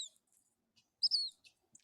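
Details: Black Phoebe, a year-round resident at Bixby Marshland, on May 1, 2021, played from an app: high, thin notes, a brief chirp then a louder slurred note falling in pitch, with a few faint ticks after.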